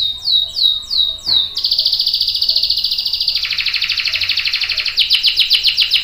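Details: Canary song with a long roll, used as a prompt for other canaries: three descending whistled notes, then a long rapid trill that drops in pitch, ending in quick repeated sweeps.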